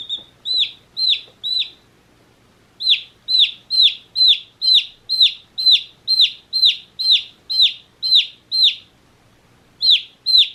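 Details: Day-old baby chicks peeping: three shrill falling chirps, a pause of about a second, then a fast regular string of loud high peeps, another short break and two more.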